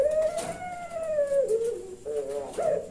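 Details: Caged puter pelung dove from Kebumen, Central Java, calling in the punchy 'nembak' manner: one drawn-out, slightly arching coo over a second long, sliding down into two shorter, lower clipped notes.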